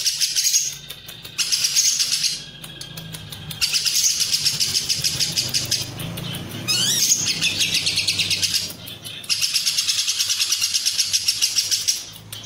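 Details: Lovebird in long Cililin-style ngekek for tutoring and provoking show birds: repeated bursts of piercing, rapidly pulsed chatter, each several seconds long, with a brief rising squeak midway and short pauses between.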